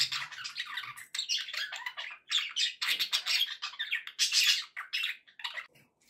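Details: Happy pet budgerigars kept indoors, chattering continuously with dense scratchy warbles and squawky chirps, bursts crowding together with only a brief pause near the middle.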